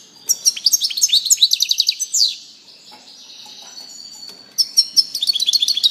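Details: A European goldfinch sings quick, repeated high chirps building into a twittering phrase, then a sweeping buzzy note and softer warbling before another rapid tinkling run.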